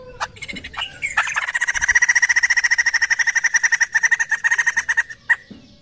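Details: Laughingthrush (poksay), sound used to lure birds into answering: scattered clicks lead into one sustained rattling series of fast, strong pulsed notes, about two and a half per second, ending abruptly.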